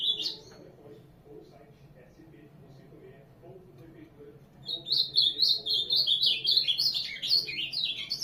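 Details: Ultramarine grosbeak singing: after several quiet seconds with faint low background noise, a rapid, rich warbling phrase of high whistled notes that rise and dip, running without pause to the end.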